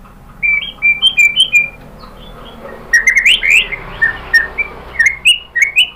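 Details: White-rumped shama in Indonesia, singing to provoke a caged shama into answering: brisk sequences of short whistled notes and upward slurs, a louder jumbled burst midway, then more evenly spaced whistles.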